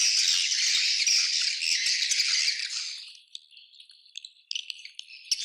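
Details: Swiftlet colony chattering: a loud, dense high twittering chorus for about three seconds, then thinning out to scattered sharp clicks and short chirps.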